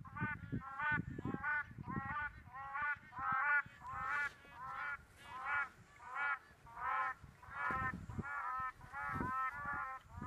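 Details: Black crowned cranes at Rigueik in Zakouma National Park, Chad, among mixed wildlife; loud harmonic honks come in quick bursts, roughly one or two per second, several voices overlapping in a noisy chorus over low rumbling background.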